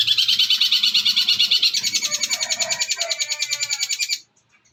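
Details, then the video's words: Long-tailed shrike (cendet) master song with mimicry for training songbirds: a fast, dense, buzzy trill of repeated high notes, about three per second, ending abruptly into silence. "Masteran Burung Cendet Isian Gereja Pethir Sambung Armagendon dan Kuntilanak"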